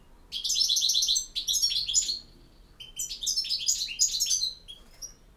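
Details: European goldfinch, a Bosnian bird, singing in the campero style: bursts of rapid, bright twittering and liquid trills high in pitch, two phrases each about a second long separated by a short pause, with a few thin whistles between them.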